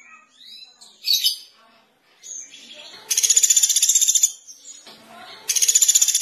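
Velvet-fronted Nuthatch giving loud, very high, rapid rattling trills of about a second each. Two bursts come after softer scattered chirps and twitters.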